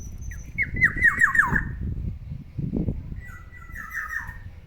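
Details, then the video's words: Morning chattering song from a pet black-naped oriole: a quick run of five bright, slurred whistles, each dropping in pitch. A pause with low thumps follows, then a second fluid, warbling phrase that trails downward. "OCEHAN BURUNG KEPODANG DI PAGI HARI, SUARANYA BIKIN ADEM"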